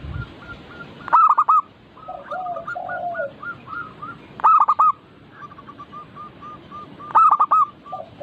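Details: Local zebra doves used as a lure to get caged birds singing: loud bursts of rapid, hooked cooing notes about every three seconds over softer repeated coos from other doves and a low murmuring background.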